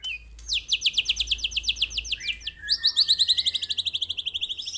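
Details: Real white-rumped shama firing a super fierce 'tembakan': long, rapid high-pitched trills of sharply repeated notes, one series giving way to a second, slightly lower rattling trill.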